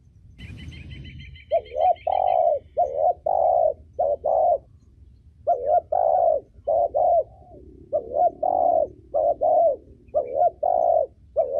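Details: Cooing of a female spotted dove, used to excite decoy birds and train young ones: a rapid series of paired low coos in clusters, steady and mellow, with a brief high jingling sound near the start.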